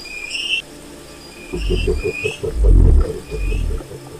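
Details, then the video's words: Wild cassowary giving deep, low booming rumbles from about halfway through, with a rapid pulsing throb layered over them. High, short bird chirps sound near the start and end. "O Canto do Casuar Selvagem"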